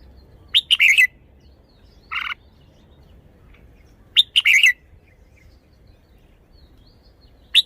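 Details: Caged red-whiskered bulbul showing off its song phrasing: short bright warbled phrases, a rapid rising-falling burst repeated about every three to four seconds, with one separate brief buzzy note between them.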